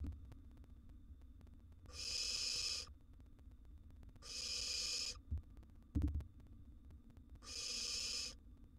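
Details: Wild barn owl nestling swallowing a large gerbil in its nest box, uttering three rough hissing screeches roughly two to three seconds apart, with a couple of sharp knocks in one gap.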